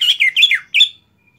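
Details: A greater green leafbird, after moulting, gives a short loud phrase of four quick rising and falling chattering notes, a brief pause, then one final bright note.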